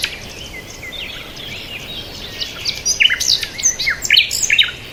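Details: A chorus of chirping birds in peaceful surroundings: a soft mesh of overlapping twitters building into louder sharp high chips and warbles in the second half, with light background hiss.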